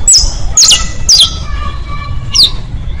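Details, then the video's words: Saffron finch song played for teaching young birds, with styles called basto, pinto and fino: four sharp, high down-slurred notes about half a second apart, then a gap and a fifth, over a steady low rumble and a faint hum. "Una hora de Cantos para enseñar canarios, bastos, pintos, finos... (Sicalis Flaveola)"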